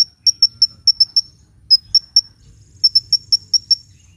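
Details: Hummingbird song meant for luring birds and getting lazy birds to sing: bright, very high clipped chirps in short runs separated by half-second gaps, against a quiet low rumble.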